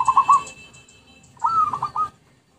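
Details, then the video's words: Lure recording of zebra dove: a clipped end of one cooing phrase, then a full rolling phrase with a rising first note and quick choppy trill, with a thin steady tone behind. "Pikat Merbuk/Perkutut"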